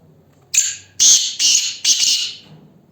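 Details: A black francolin, Ghanghas Tloori mix breed, in captivity, calling loudly: one short rasp, then three longer grating, noisy bursts about half a second apart, with little else audible.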